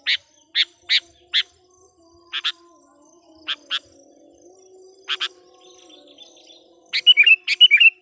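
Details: Sooty-headed bulbul decoy (kutilang pikat) calling to attract wild birds: a series of sharp, evenly spaced single and paired chips, closing with a short rapid bubbly phrase.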